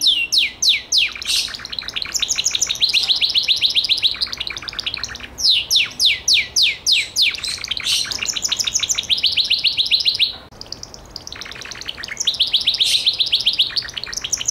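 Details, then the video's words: Singing Gloster canary alternating series of loud sweeping whistled notes with rapid chattering trills, with a short silence late on before the trilling resumes. "CANARIO GLOSTER"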